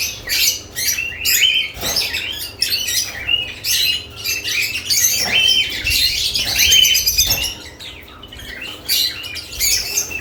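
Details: Lovebirds with added nest boxes chattering almost continuously, overlapping shrill chirps and scratchy squawks about twice a second, irregular, with a few soft thumps and a low background hum.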